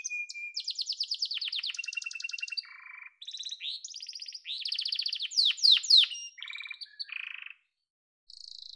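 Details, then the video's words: Singing yellow canary: a thin whistle opens into dense high trills, a low buzzy rattle, swelling rolling tours and sharp descending sweeps, then a brief quiet gap before a last high trill. "Muhteşem Kanarya Sesi: Sarı Kanarya'nın Efsanevi Ötüşü"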